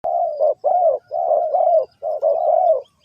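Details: Spotted dove from Ninh Thuận, linked to bird trapping, giving loud, low, mellow coos in long hollow notes with brief gaps, about four phrases in three seconds against a quiet background.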